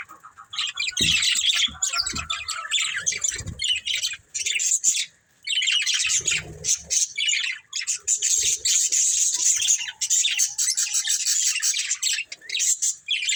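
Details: Budgerigar breeding pair in long runs of harsh, scratchy chirping and squawky chatter, with brief gaps between bursts.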